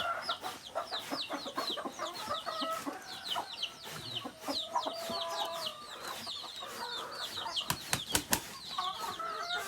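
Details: Native chickens, with rooster and hen, heard at close range: rapid high descending peeps repeated many times a second, mid-pitched clucking underneath, and a few sharp knocks near the end.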